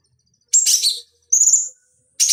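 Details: Cucak cungkok bulbul on a training master for fighting birds, giving three short phrases: a buzzy chattering note, a clear high whistle sliding upward, and the start of another harsh burst.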